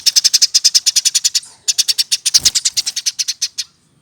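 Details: Caged, hand-reared Eurasian tree sparrow older than one year in full voice: a long, steady stream of fast, bright, high chirps repeated several times a second, briefly broken once, then trailing off into silence.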